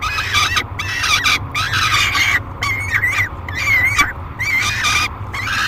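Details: Peregrine falcon youngster begging loudly as food arrives at a nest box on July 3, 2021; rapid series of raspy, warbling screams, about one every second, over a continuous low hum.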